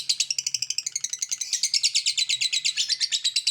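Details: Continuous 'ngekek' chattering by a lovebird, dense scratchy high notes pouring out quickly, slightly uneven in pitch and rhythm from start to finish.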